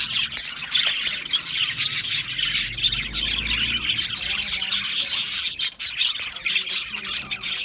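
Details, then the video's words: Budgerigars chirping, a dense, continuous chatter of high, buzzy twitters and warbles from several birds at once, with sharp clicks and short squeaky notes running without pause through the whole stretch. "Natural Parakeet Singing Birds | Parrots Chirping sounds"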